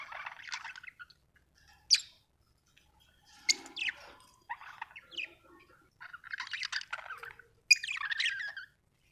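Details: Budgie chirping happily in soft, uneven bursts of scratchy twitter and quick squeaks, broken by short silences.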